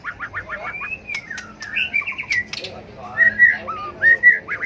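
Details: White-rumped shama, flicking its tail, singing a fighting song used to stimulate and train birds: a brisk series of short repeated notes, then a long rising-falling whistle, scratchy twittering, and bright level whistles near the end.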